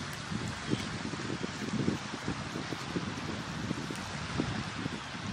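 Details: Wind buffeting and lapping water at a sandbar shore, with no animal call standing out.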